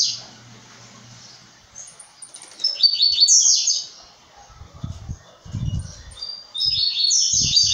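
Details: {'caption': 'Brown-plumaged blue-black grassquit sings a buzzy rising phrase near the middle and another at the end. Soft low thumps and knocks sound in between, with a faint hum early on.'}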